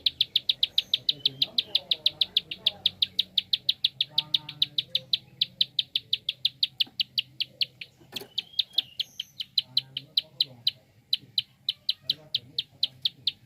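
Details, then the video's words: Fast clicking call of a prinia, an unbroken stream of crisp high ticks, roughly four to five per second, held steadily throughout, with faint low murmuring noise underneath and one brief sharp knock. "Prenjak Klik cepat"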